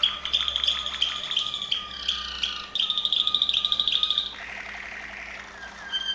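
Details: Serbian Waterslager Malinois canary singing rolling trills broken by short pauses, a sustained rapid high trill near the middle, then a softer, lower bubbling passage before the song resumes.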